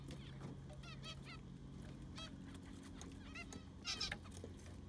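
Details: Zebra finches in an aviary being cleaned with fresh sand; clear nasal, trumpet-like beeps repeat in small groups, one bird answering another, over a constant low hum and a brief louder rustle near the end.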